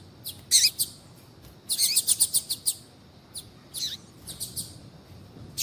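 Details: Female double-collared seedeater calling to stimulate a male to sing: high, thin chirps in quick clusters, a sharp descending note near the start, then a burst of rapid repeated notes and scattered single chirps.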